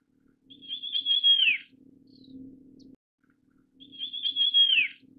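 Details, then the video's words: Russet Sparrow (Passer rutilans) giving two bright, high chirping phrases about three seconds apart, each ending in a quick falling flourish, over a low steady hum. "山麻雀/Russet Sparrow"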